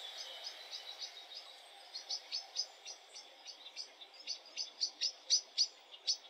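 A common blackbird gives sharp, high chinking notes about three or four times a second, growing louder toward the end over a faint background hiss.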